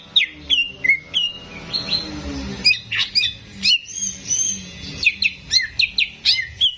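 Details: Captive greater green leafbird singing for training young birds: squeaky whistled slurs and sharp chips come in rapid irregular bursts with a short quieter warble midway, all high and clear.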